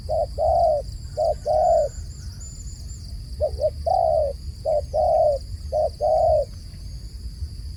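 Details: Dove cooing in repeated phrases: a short hooting note followed by a longer, steady mid-pitched coo, the pair returning about every second and a half over low rumbling background noise and a faint high electrical whine.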